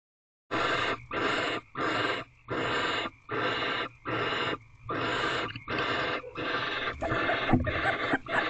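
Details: Wild barn owl pair in a nest box at 11:12 pm on 28 March 2023, mating while the female holds a rodent in her beak. Harsh, broad hissing screeches come in bursts of under a second, repeated about every 0.8 seconds, with a faint tonal note in between.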